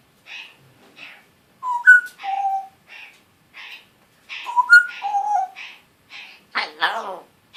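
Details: A pet African grey parrot, just turned one year old and starting to talk in a still scratchy voice, repeats raspy syllables and clear rising whistled notes, ending in a loud harsh buzzy call.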